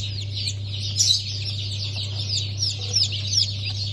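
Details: A hatch of Sultan, Türken, Australorp and Sussex chicks dated 23 March 2024. Loud, shrill peeps pour out in a crowded stream with a few louder bursts, set against a continuous low electrical hum.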